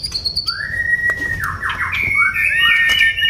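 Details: Oriental magpie-robin singing in top form: after a brief high note, long clear whistles slide and bend, some swooping downward, then a rising run of warbled whistles, over a steady low rumble.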